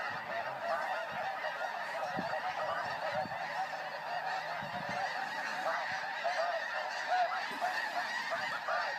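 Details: A flock of snow geese in flight fills the air with a steady roar of countless overlapping high, nasal honks and barks, unbroken throughout, with occasional low thuds beneath.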